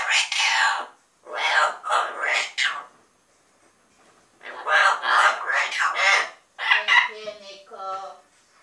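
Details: Double yellow-headed amazon parrots giving loud, raspy, speech-like squawks in bursts about a second long, ending with a clearer, wavering whistled note.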